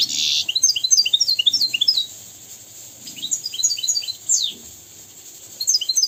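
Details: Training song of a European goldfinch for teaching young goldfinches and canaries. Bright, fast twittering phrases of high chirps repeated in runs, with a sweeping downward note and pauses of faint hiss between phrases.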